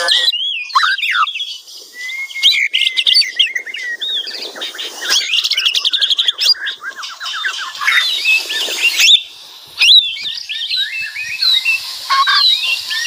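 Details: White-rumped shama singing loudly with a full, varied repertoire of fill-ins. The song is dense and ceaseless, mixing high whistles, rapid chattering trills and harsh squawky notes. It breaks briefly just before ten seconds, then resumes.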